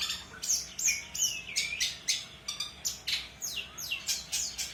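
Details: Long-tailed shrike song meant for tutoring other birds: a lively jumble of high chirps, downslurred whistles and rasping notes, delivered quickly and irregularly.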